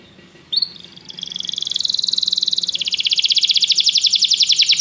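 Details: Canary song used for training to stimulate another canary to sing: a short high note, then a fast, even trill of rapid pulses that speeds up, grows louder and drops slightly in pitch near the end.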